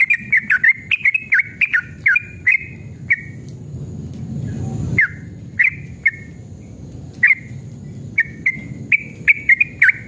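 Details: Agitated male yellow-vented bulbul in long 'ropel' song, played to coax caged birds into answering: quick clusters of liquid whistled notes, then brief separate chirps, with a short break of low rumbling noise midway.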